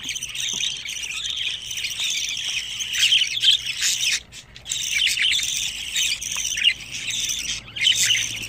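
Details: A brood of young budgerigars, 25 days after hatching, chatter in a harsh, overlapping chorus of rasping squawks and high chirps, with a brief quiet spell midway.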